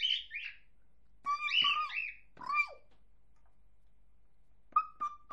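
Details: A male pet cockatiel that repeats sounds gives a few bursts of raspy, wavering, word-shaped speech-like chatter, then a clear whistled note, in an otherwise quiet room.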